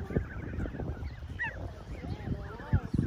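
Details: A group of Canada geese in a park confront a small dog. Low grunting pulses mix with a few nasal, wavering higher calls over a rumbling, windy background.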